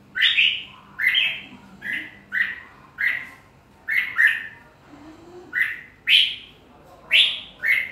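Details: Red-whiskered bulbul delivering a steady run of loud, rich whistled notes, each swooping up then down, repeated roughly every half second to second, with a soft low hum in the background.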